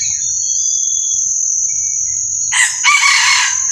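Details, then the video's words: Red junglefowl crowing: one harsh, broadband crow lasting just over a second near the end, after a steady high insect whine that continues underneath, with faint scattered chirps. "ไก่ป่า ขันเสียงดีมาก"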